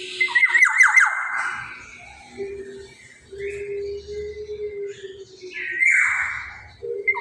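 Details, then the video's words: Black-naped oriole giving a loud, rasping call with repeated downward sweeps. It is followed by a quieter pause with a soft hum, then another broad, nasal burst near the end. "kepodang gacor cocok buat pancingan"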